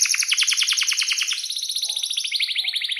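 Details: Vigorous canary in breeding condition delivering a long roll, sung as a model for young canaries. Rapid, steady, buzzy pulses repeat throughout, shifting from one rolled trill to another slightly higher one partway through.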